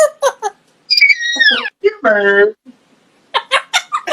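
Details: Female African grey parrot, kept as a pet, laughing and wheezing to make its owner laugh: a sliding whistled squeal, then a harsh buzzy wheeze, followed by choppy, human-like laugh syllables.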